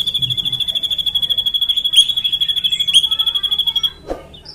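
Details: Vigorous drongo sings a long rolling phrase ('ngeroll panjang'): a very fast, even train of high shrill notes, about three a second, then a brief pause and a short rough note.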